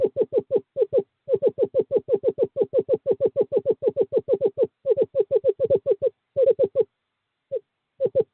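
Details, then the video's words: Screech owl male calling a female to nest box 5, courting season, 2/11/2023: a sustained quick stream of mellow hooting notes, briefly broken several times, thinning to a few scattered notes at the end. "Male screech owl calls female to owl box"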